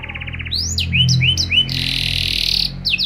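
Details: Canary singing vigorously with special phrasing used to set off other canaries; a brief pulsed trill gives way to looping whistled slides, then a sustained rasping buzz and sharp repeated notes, with a faint low hum beneath.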